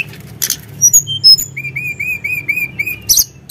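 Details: Sunda blue robin provoked into singing: a few sharp high notes, then six even upslurred whistles repeated about every quarter second, closing with harsh bursts.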